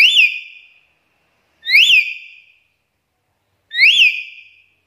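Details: Black-capped lory lure sound: three strident rising-then-falling whistles with a trailing tone, roughly every two seconds, nothing else audible.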